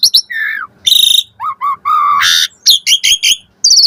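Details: Asian pied starling song full of fill-in variations, played to make starlings respond: a low falling whistle, harsh buzzy bursts, short repeated notes about once a second, and a bright high trill to finish.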